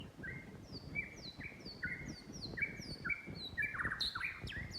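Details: White-rumped shama singing: a string of clear whistled notes, each a short steady or down-slurred tone paired with a fainter higher one, spaced roughly every half second, ending in a quicker varied twittering phrase over low background noise.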